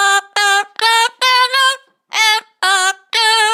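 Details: A pet Panama amazon parrot, apparently enjoying itself, sings in a rich, human-like voice: about seven held, tuneful syllables with one brief pause midway, steady in pitch and clear.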